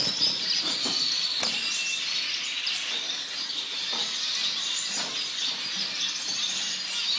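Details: Several orange zebra finches calling together in a busy, continuous chorus of short, high chirps and squeaky notes, with a few sharper clicks scattered through.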